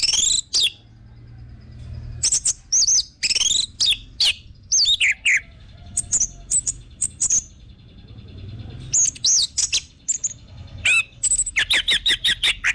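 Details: Orange-headed thrush singing, meant to spur caged birds into song: long rambling stretches of varied slurred whistles, rapid chirps and fast trills, with brief pauses between bursts.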